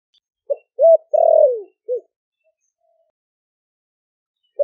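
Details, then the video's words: Caged spotted dove from Ninh Thuận, kept four months, calls in the deep thổ đặc (thổ sấm) voice to call other doves in: a short note, a hooked coo, a long drawn falling coo, then a short closing note, in silence. "Cu gáy kích bổi nhanh nổi GIỌNG THỔ ĐẶC ( THỔ SẤM )gáy gọi bổi về"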